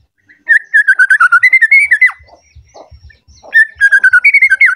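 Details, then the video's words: Agitated white-rumped shama seeking a rival, singing fast runs of short whistled notes around a steady mid pitch, about three per second, in two bursts separated by a brief pause, with faint low thumps beneath. "Pancingan Murai Batu Emosi Mencari Lawan Bikin Murai Lain Langsung Emosi Bongkar Isian"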